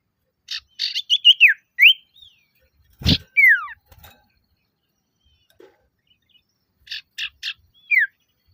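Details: Male common iora calling to lure and challenge rivals: bursts of buzzy, rasping notes alternate with clear downslurred whistles. Phrases come in groups, and a single low thump breaks in near the middle.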